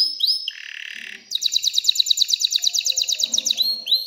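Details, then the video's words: Singing canary, excited, to stimulate females to mate and nest. Rising whistles open into a low buzzy rattle, then a long, loud, evenly pulsed trill of bright notes, ending in upslurred whistles. "تغريد كناري هائج لتحفيز الاناث على التزاوح وبناء العش"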